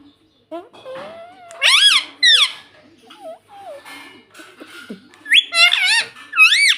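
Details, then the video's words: Rose-ringed parakeet kept as a pet calling in loud, piercing bursts: a thin whistled note leads into paired harsh screeches, quieter squeaks in between, then a closing series of wavering shrieks. "Ringneck Parrot Natural Sound"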